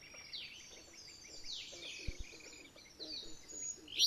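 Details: A pair of active alder flycatchers in Maine calling in a territorial dispute with an intruding alder flycatcher: overlapping high descending slurs and rapid notes, two brief low knocks, then a sharp loud note at the end.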